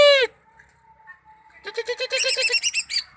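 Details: Greater green leafbird giving a brief harsh downslurred note, then a quiet pause with a faint steady tone, then a fast rhythmic series of bright stuttering notes that grows louder.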